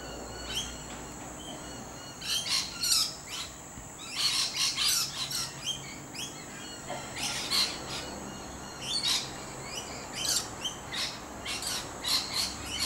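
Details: Wild lorikeets in a tree give shrill, screechy chattering bursts, high and harsh, repeating every second or so in overlapping calls from several birds.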